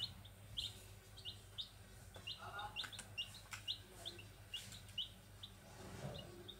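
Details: Chicks of the grey junglefowl give clear, brief high cheeps, several per second in loose runs, with occasional rustling bursts and a constant low hum behind.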